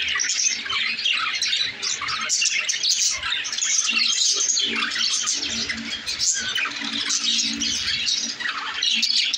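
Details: Several lovebirds chattering nonstop, piercing squeaky chirps and harsh squawks tumbling over one another with hardly a pause, steady loud flock noise throughout.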